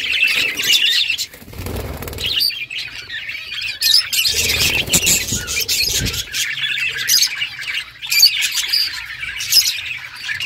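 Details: A group of budgerigars playing with each other, keeping up nonstop twittering chatter with sharper squawky notes, broken by a couple of spells of low rumbling noise.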